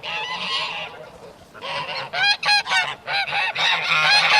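A flock of geese cackling, with harsh, nasal honks overlapping in quick bursts of about four a second. Several birds call at once, some higher-pitched than others.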